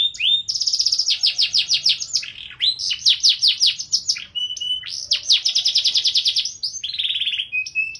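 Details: Gacor canary, ornate cengkok mewah song: rapid repeated-note trills interleaved with rising sweeps, a short flat whistle and a buzzy rolling phrase near the end.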